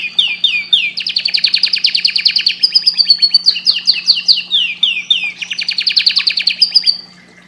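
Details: Canary singing loudly and continuously: rapid rolling trills of repeated swept notes, shifting from one tour to the next for about seven seconds before stopping.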